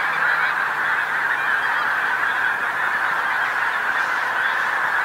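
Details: Pink-footed geese, a big flock on a roadside field on the North Norfolk coast, England, filmed at sunset after flying in. Unbroken wall of overlapping nasal honks and yelps from countless birds, steady in loudness throughout.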